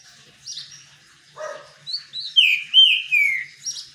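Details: Green-winged saltator singing while bathing in the sun, a short soft note followed by rising whistles and then long, rich, downward-slurred whistled phrases, with a brief high note at the end.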